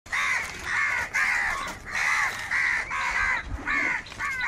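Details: Crows feeding, calling in a rapid series of harsh, arched caws roughly every half second, several birds overlapping, loud and steady with no pause.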